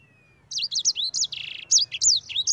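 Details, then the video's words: Sanger (yellow-fronted canary) giving ngerol song used as a lure for other birds: after a short silence, a fast string of high twisting whistles with a brief buzzy trill in the middle. "Suara Burung Sanger EDEL SANGER NGEROL Ampuh untuk pancingan sanger cepat ngerol gacor"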